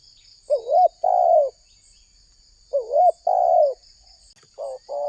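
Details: Indonesian spotted dove calling constantly, as used to lure wild doves: soft two-part coos, a quick undulating note then a drawn-out falling one, repeated roughly every two seconds with silence between.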